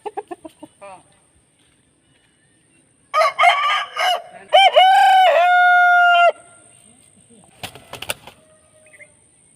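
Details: Aseel rooster crow: a three-second call that opens with choppy bursts, then settles into a long, steady, held note. Quick pulsed clucks sound at the start, with a faint steady whine and a few clicks afterward.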